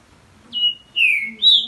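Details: Green-winged saltator (trinca-ferro) in a breeder's dueling session, a young male against his champion father, sings three loud, clear whistled notes: a level note, a slightly falling slurred note, then a higher rising one, over a faint low hum.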